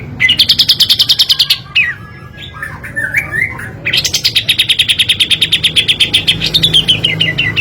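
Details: Kapas tembak with tight 'tembakan' firing, used as master song and lure: long machine-gun runs of piercing high chips, broken midway by twisting, warbled whistles, then another extended rapid volley slowly dropping in pitch.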